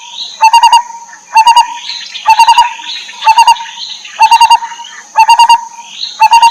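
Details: Lineated barbet, a parent feeding its young, giving quick bursts of three to five hollow, mid-pitched notes about once a second over a steady high-pitched insect drone, with human laughter nearby.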